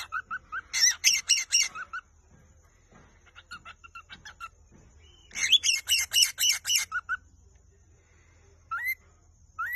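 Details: Courtship love song of a Vogelkop superb bird-of-paradise in West Papua's Arfak mountains. Two rapid runs of harsh, buzzy, rattling notes, each about a second long, are separated by softer ticks, and a few rising whistles follow.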